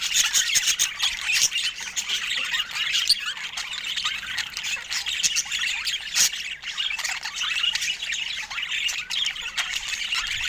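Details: Continuous chatter from pet budgerigars: a dense wash of high warbling, chirps and scratchy squawks, fairly even in loudness from start to finish.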